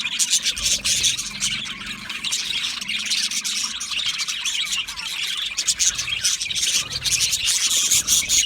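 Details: Budgerigars chirping in a continuous high, buzzy chorus, many quick overlapping tweets from a flock with loudness pulsing unevenly, a soft low hum underneath.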